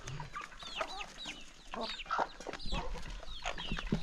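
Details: Chickens gathering excitedly at a calm countryside morning feeding, giving clear downward-bending peeps and short clucks in quick runs, with pecking and scratching noises between.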